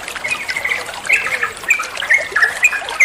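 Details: Training song of a trucuan bulbul for other songbirds: softer, spaced whistled notes and short upslurred chirps over a faint watery hiss.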